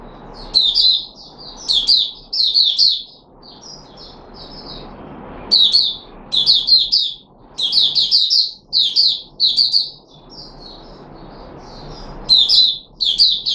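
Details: Red-whiskered bulbul kept in a cage, locally Puteh Raja, on 13 April 2021. It repeats lively groups of bubbling whistled notes again and again, with brief quiet gaps and a light hum behind.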